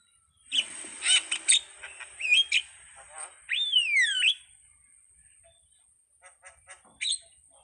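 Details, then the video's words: Starling giving mixed squawks and chirps, then a loud sliding whistle that falls and rises. Quieter scattered notes follow, with a faint high steady tone in the background. "suwara //burung jalak//"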